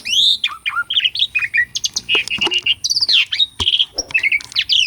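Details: Asian pied starling in strong song, recorded to stir other starlings to sing: nonstop mix of swooping whistles, downslurred notes, buzzy chatter and a held whistle near the end, delivered fast and loud.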